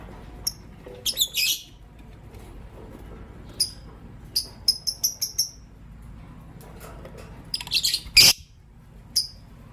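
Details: Green Personata and pastel white lovebirds calling in the morning, giving many short, high, piercing chirps in quick clusters, with gaps between bursts and one louder, harsher squawk near the end.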